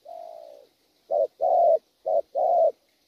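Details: Spotted dove, a wild-caught bird, cooing loudly: one long soft opening coo followed by short and longer hollow notes in an irregular rhythm, low-pitched and clear against a quiet background.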